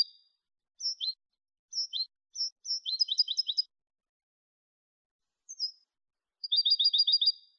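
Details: Malagueño limpio song of a European goldfinch, meant for teaching other goldfinches: clipped high double notes in short bursts, building into rapid ringing trills, a sliding note, then another quick even trill. Silent background.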